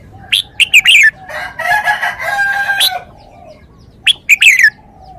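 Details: Red-whiskered bulbul giving two bright, chattering whistled phrases of quick slurred notes, one at the start and one at the end, with a long rooster-like crow sounding in between.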